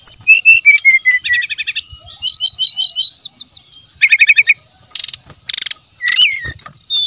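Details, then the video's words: Brown-chested jungle flycatcher of forest origin, natural voice used as a lure: a long, busy phrase of whistled slurs, buzzy chattering trills and sharp high notes, broken by brief pauses. "PASTOL HUTAN ASLI JEBOL.!! SRDC GACOR DENGAN SUARA ASLI ALAM, PANCINGAN SRDC MASTERAN"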